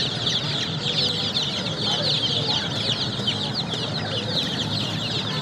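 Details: Baby chicks fill the air with bright, high chirps, many voices at once, each peep short and often slurring downward, in a continuous busy chorus.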